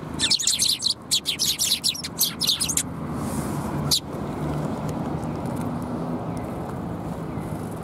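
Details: Rapid burst of bright, high chirps from fluffed-up sparrows, recorded 1 February 2021, fills the first three seconds, then one lone chirp before low traffic-like rumble takes over.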